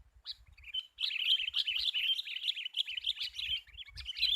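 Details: Fierce sooty-headed bulbul being lured for trapping: a single sharp note, then a rapid, nearly unbroken stream of jumbled chirps and twittering notes, busy and excited, with soft low knocks underneath.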